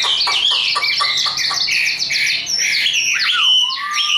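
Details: Hand-tamed, caged Chinese hwamei singing: quick chattering notes, then varied whistled phrases ending in a long, smooth, low-rising whistle.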